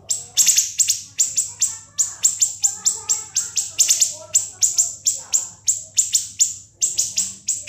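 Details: [['Extended ngebren song of a siri-siri for training other songbirds: a rapid, relentless series of shrill downward-sweeping notes, some in quick pairs, with faint low murmurs beneath.']]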